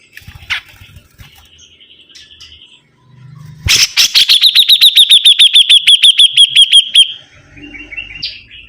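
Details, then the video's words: An actively singing sibuntung bird starts with quiet chirps, then bursts into a rapid, even trill of repeated sharp notes lasting about three seconds, with low background noise. "BURUNG SIBUNTUNG GACOR"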